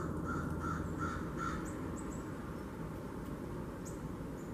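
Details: A string of four grating, nasal calls from blue jays at a bird feeder in a kitchen garden, 13 October 2021, opens the recording, followed by quiet with a deep background hum.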